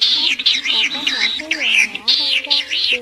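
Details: Snipe lure recording used for night net-trapping of migrating birds, August 2023: high, squeaky chirps repeated in quick bursts of about half a second, with a low voice murmuring underneath.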